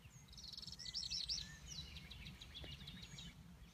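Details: Northern parula, a returning migrant, sings a buzzy, high trill that climbs in pitch over about a second, while other birds chirp faintly behind it against a low background rumble.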